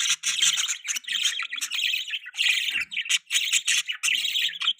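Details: Pet budgerigars chirping, described as mating sounds: dense, scratchy warbling chatter with rapid squeaky notes in bursts and brief pauses.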